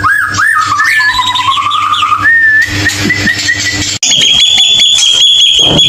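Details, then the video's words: Shama (murai batu) song used to provoke a silent bird into singing: short rising whistles, then a long sustained high whistle with rapid ticking notes beneath, against a faint hum. "PANCINGAN MURAI BATU MACET BUNYI"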